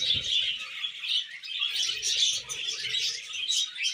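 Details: Breeding budgerigars chattering busily during mating, quick squeaky chirps and warbled twitters pouring out continuously, with faint low knocks in the background.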